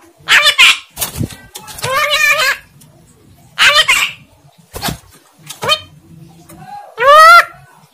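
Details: Javan myna kept by its owner, mimicking speech indistinctly: scratchy, speech-like bursts and wavering harmonic syllables scattered across the clip, closing with a loud, sustained nasal call.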